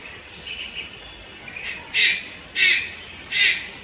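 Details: Malayan night heron chick recorded in Lugu, Taiwan on 30 July 2022: faint soft notes first, then three loud harsh hissing squawks spaced about two-thirds of a second apart.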